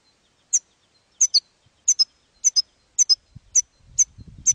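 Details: European goldfinch in campero style, from a recording made for training young goldfinches: short bright twittering chirps, single and paired, repeated about every half second or so, with faint low rumbling near the end.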